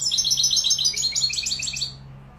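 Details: European goldfinch singing Malaga-style in Morocco: dense, bright, rapidly repeated high notes forming a rolling twitter that fades out near the end.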